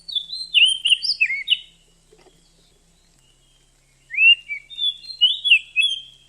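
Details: Female Oriental magpie-robin calling to stimulate a male to sing and raise his breeding drive; two bursts of clear, high whistled and slurred notes, rising and falling, separated by a quiet gap of about two seconds.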